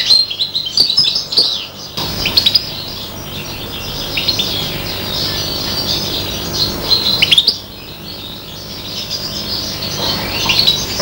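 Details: Hybrid of a serin and a bronze canary hen, aged five months, imitating goldfinch song: a softer, blurred run of high twittering throughout, broken by two sharp clattering knocks near two and seven seconds.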